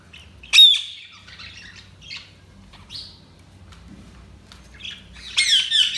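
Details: Budgerigars chirping: separate sharp, high chirps and short squeaky notes with quiet gaps between them, ending in a loud, dense burst of chatter.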